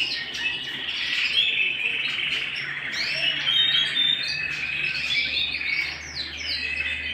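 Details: Canaries singing indoors at home: steady high twittering with quick rising whistles and rapid trills layered together, a faint low hum running underneath.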